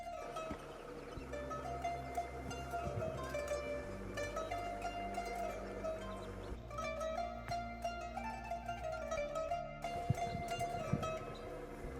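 Plucked string music with steady sustained tones and no animal voices.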